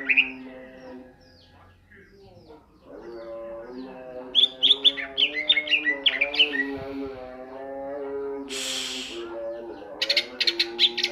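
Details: Greater green leafbird in ngentrok singing style, delivering varied rapid chirps and whistled slurs in clusters over a continuous music-like drone, broken by a burst of hissing noise near the end.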